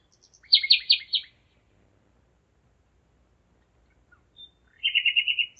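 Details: Common nightingale in Zeitz, Germany, at 01:55 on 5 May 2017, delivering a loud rapid series of about six repeated chirping notes, a long pause, a single thin whistle, then a fast even trill.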